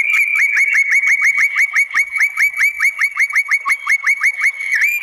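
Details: White-rumped shama singing to make other shamas respond, a rapid even series of about thirty short downslurred whistled notes, roughly six per second, kept up for five seconds.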